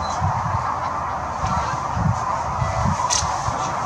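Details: Sandhill cranes massed near Kearney, Nebraska, in March 2020 on migration, giving a steady wall of overlapping rattling calls, with low thumps and rumbling in the background.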